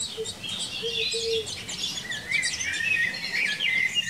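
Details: Common linnet in a garden in Czechia, spring and summer 2021, while a pair raises young: fast twittering chatter of trills and buzzy notes, with several brief low tones early on.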